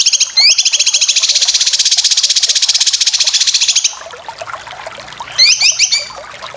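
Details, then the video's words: Cucak kinoy from a dense training recording for competition birds. A long, rapid, buzzy high trill lasts nearly four seconds. After a quieter gap comes a short burst of bright chattering notes. "Masteran full besetan cucak kinoy"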